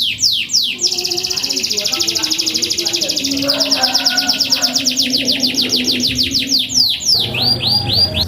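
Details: Canary singing vigorously, used to coax lazy canaries into song: a long, fast, rolling high trill of evenly pulsed notes, opening and closing with sweeping downslurred whistles, over a faint steady lower tone.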